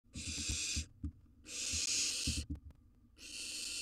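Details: Wild barn owl nestling in a nest box, eating a gerbil: long harsh hissing screeches about a second each, separated by short gaps, with low thumps and rustling from movement in the box.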